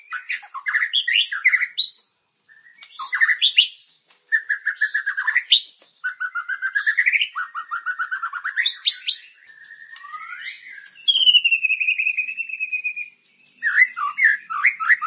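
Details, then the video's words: White-rumped shama, a bait song played to stimulate caged birds to sing, described as loud and full of character: varied phrases of whistles, rapid chattering trills and slurred notes, with a long steady whistle near the end and brief pauses between bursts. "Suara pancingan burung murai ❗gacor dan berkarakter"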